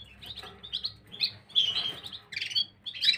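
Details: Gloster canaries recorded on 9 January 2023, giving a quick run of high twittering chirps that swells into louder trilled bursts, overlapping calls over a soft low hum.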